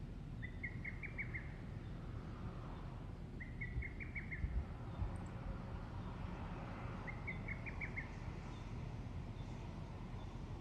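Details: A lesser cuckoo sings solo at 19:24 on 16 June in Shikokuchūō, Japan, repeating a quick, emphatic phrase of five or six loud whistled notes about every three seconds, over a steady low rumble of distant traffic or wind.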